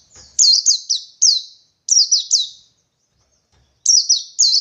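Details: Forest white-eye looking for a rival, singing quick runs of bright, high, downward-slurred chirps in groups of three to four, with short silences between.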